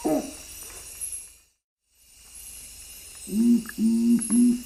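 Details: Nocturnal Curassow of western Amazonia, a night bird heard far more than seen, giving its typically three-note booming song: a brief hoot, a silent gap, then three even, hollow low booms in quick succession over steady insect hiss.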